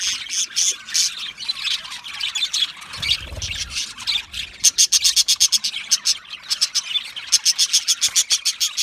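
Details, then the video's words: Flock of budgerigars in an aviary chattering, then a fast, regular train of sharp clicking chirps dominates the second half, other birds chirping underneath and a soft low bump early on. "Budgie parrot chirping sounds"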